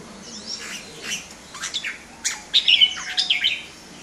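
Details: Red-whiskered bulbul, caged, singing in display: scattered short chirps and quick downslurred notes, building to a louder run of bubbly, twisting whistles in the second half.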